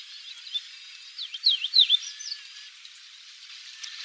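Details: Chestnut bunting subsong recorded on Tsushima, Japan: a quiet, rambling run of thin, high twittering notes, with a brief cluster of sharp slurred chips in the middle and soft background hiss.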